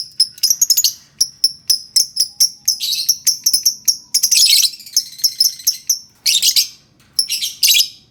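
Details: Lovebird song played to get silent lovebirds singing: a long run of sharp high chirps repeated several times a second, broken by denser buzzy chattering bursts and short pauses.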